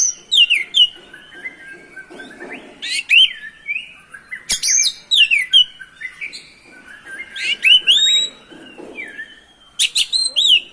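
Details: Oriental magpie-robin (kacer) in lively song meant to provoke other magpie-robins: dense runs of sweeping whistles and chirps, rising and falling, with a sharp click partway through.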